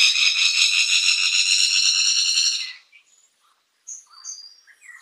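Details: Fire-tufted barbet (takur api) with a steady, rasping, insect-like buzzing trill for nearly three seconds, then a pause followed by scattered high whistled chirps from other birds.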